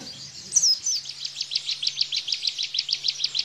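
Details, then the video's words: Bar-winged prinia in the rapid-fire 'tembakan' song style, used to tutor cage birds: a brief high slurred note, then a fast, even train of short chipping notes repeated about three per second, with a faint low hum beneath. "Tembakan Ciblek Bren"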